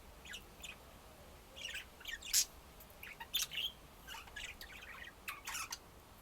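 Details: Several budgies warbling and squawking together in a busy flock-like chatter of overlapping high chirps, scratchy notes and short squeaks.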